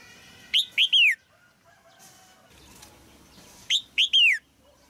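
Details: Female red-whiskered bulbul singing in a cage to stimulate an adult male. Two identical phrases about three seconds apart, each three ringing whistles, the last drawn out and falling, with faint soft notes between.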